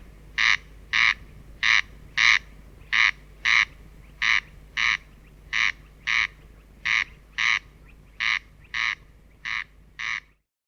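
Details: Corn crake song: dry, rasping double notes, crex-crex, repeated steadily about every 1.2 seconds, eight pairs in all, with a faint low hum in the background.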